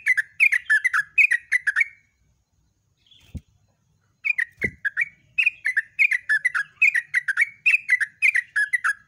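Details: Long, rapid dawn song of a yellow-vented bulbul, 'gacor ropelan panjang': dense strings of bubbly, clicking phrases, a brief gap broken by two dull thumps, then nonstop chattering bursts to the end.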